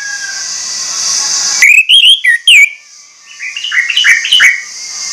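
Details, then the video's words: Orange-headed thrush lure song meant to provoke other birds into singing: a burst of loud, rich whistled phrases with quick rising and falling slurs, then a softer run of varied notes, after a steady hiss. "PANCINGAN ANIS MERAH"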